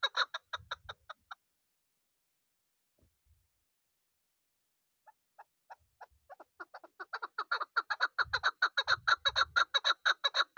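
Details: Rapid clucking from a young chukar partridge kept for hunting, hatched this season: a short opening burst, a silent gap, then notes resuming sparsely and building into a dense, loud run, with low thuds mixed in.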